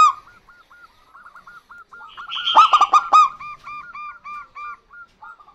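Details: Answering song of a local zebra dove pair, male and female: a long run of soft, evenly paced short coos with one loud central burst of fast ringing notes.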